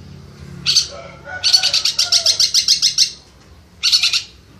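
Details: Champion competition long-tailed shrike, a national contest winner, singing: a short harsh burst, then a fast run of about a dozen sharp, evenly spaced high chattering notes, followed after a pause by another brief scratchy burst.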